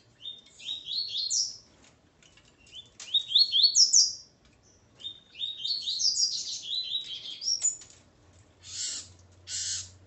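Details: Coleiro male with his female sings four repeated phrases of quick, clear notes rising in stair-step fashion, then two short bursts of rustling noise and a low hum close the recording.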